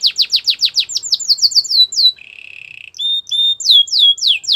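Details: A Belgian canary sings a training song while warming up for females, with quick falling whistled notes, a low steady rattle, then louder slurred sweeping phrases.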